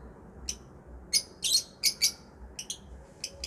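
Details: Sharp, high-pitched lovebird chirps come in quick single and paired squeaks, irregularly spaced, some louder and grating, against a low steady background hum.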